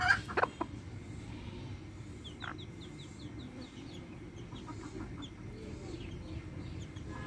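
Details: Backyard hens with chicks: loud clucks at the start, then steady runs of high thin chick peeps about three per second, with a low background hum.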